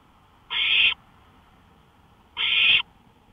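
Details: Nighttime owl calls by a porch at 1:53 AM in early May 2013: a pair of rasping, breathy screeches, each close to half a second, separated by about 1.9 seconds of near silence.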